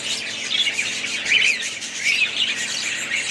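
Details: Budgerigars chirp and warble as a group. Squeaky notes and brighter whistled phrases swell and fade in loose bursts over a constant high chatter.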